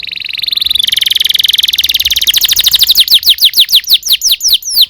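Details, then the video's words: Canary song recorded for teaching young canaries: a rapid buzzy rattle of high notes that shifts into a loud series of descending whistled slurs, repeated steadily. "PANCINGAN Kenari GACOR PANJANG Cuit CUIT EMOSI"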